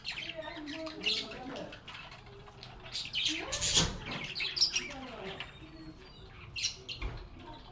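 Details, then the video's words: Budgerigars sing, play and talk. Wavering, voice-like sliding notes mix with quick chirps and warbles, and a loud scratchy burst occurs near the middle. "Relaxing Sounds of Singing, Playing, and Talking Parakeets"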